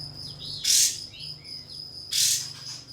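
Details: Pied fantail song used as a lure to provoke a rival; two loud harsh bursts broken by thin whistled slurs over a constant high insect drone.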